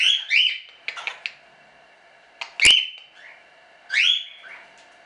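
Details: Standard cockatiels kept in a small hobby breeding aviary as show birds; loud rising whistled calls at intervals, separated by quiet gaps and a sharp click.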